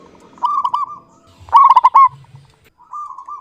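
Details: Local zebra dove in full, clear-voiced song: a soft rolling coo, then a loud quick burst of staccato coo notes, ending with another gentle trilled phrase.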